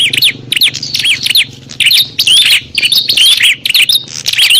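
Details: Bar-winged prinias in a noisy fight, used as a lure to call wild prinias: rapid bursts of sharp, high chirps and buzzy trills, repeated in dense clusters with brief pauses and occasional thin whistled slurs.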